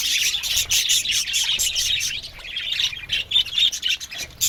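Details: Aviary flock of budgies giving rapid overlapping chirps, about four bursts a second, uneven rhythm, loud chattering that dips slightly near the end.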